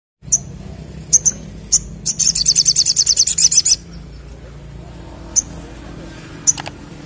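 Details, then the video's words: Crimson sunbird singing vigorously in a wild-style 'ngleper ngalas' song: sharp high chips, then a fast, even, high-pitched trill of about twenty notes lasting under two seconds, then more spaced chips over low background hum. "Sogok Ontong Gacor Ngleper Ngalas"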